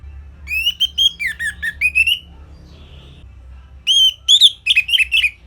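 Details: Orange-headed thrush singing a simple, easily imitated phrase used for training songbirds: a rapid string of clear whistled notes that rise and dip, a pause of over a second, then another quick burst of bright slurred whistles.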